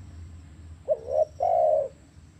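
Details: Spotted dove cooing to prompt a quiet captive bird to call: one short lilting note followed after a gap by a drawn-out, soft, level coo, with low background hum.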